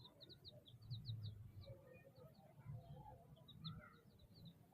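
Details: Chicks chirping: a quick run of short, high, down-slurred peeps repeated rapidly, with softer lower chirps overlapping, over a steady low hum.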